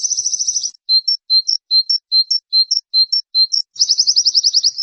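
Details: White-eye masteran song for training birds: a quick high trill, then a steady series of paired short whistled notes, each low then higher, repeated about twice a second, ending in another rapid trill.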